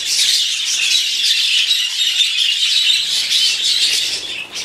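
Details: A flock of budgerigars in a home aviary in 2011 chatters nonstop in a dense mix of high, scratchy warbles and chirps.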